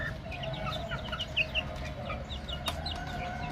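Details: A group of young chicks peeping: bright, brief descending chirps in quick succession, a few louder notes standing out mid-way, a sharp click near the end, and low steady hum underneath.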